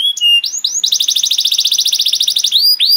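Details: Canary song used as a master recording to train young canaries: a long, lively song with varied phrasing. Upward-sweeping whistled notes lead into a fast, even buzzy trill of about twenty rapid pulses, then ends with two more rising sweeps.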